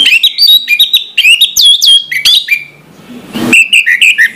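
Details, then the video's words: Morning song of an orange-headed thrush, played to stir quiet birds into song. Rapid run of clear whistled and chirping notes, jumping up and down in pitch, then a short pause, a noisy burst, and more quick whistles. "suara anis merah plong pagi hari bikin sengat bunyi anis merah macet"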